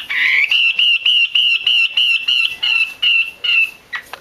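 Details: Female Chinese hwamei, kept by bird keepers and played to stimulate males to sing. A run of about twelve short, clear whistled notes at one steady pitch, evenly repeated over roughly four seconds, fading at the end.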